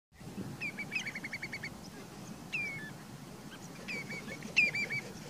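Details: A Common redshank at Frasergunj, Sundarban, South 24 Parganas, West Bengal, India, in March 2019 gives a quick run of about eight sharp, piping notes, then clear, ringing downslurred 'teu' whistles over a low background rumble.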